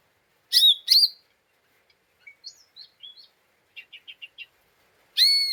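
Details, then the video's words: Lesser green leafbird giving an agitated 'ngeriwik' lure call meant to provoke other birds: two loud, harmonic rising notes, then soft short whistles and a quick run of chips, with a loud note returning at the end. "Pancingan Cucak Ijo Mini Cimin Malasa bunyi / ngeriwik / Emosi tidak stabil"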